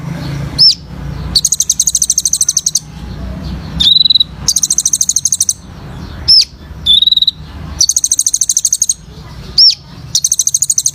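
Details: Kolibri Ninja sunbird singing hard, a full training song for captive birds: long fast runs of thin high ticking notes alternate with short downslurred whistles and level whistled notes, about every three seconds.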